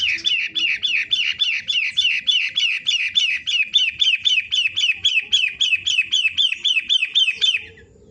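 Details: A pentet, or long-tailed shrike of the 'matahari' type, singing actively (gacor) with a long, evenly paced run of scratchy, chirped notes, nearly four a second, that stops abruptly.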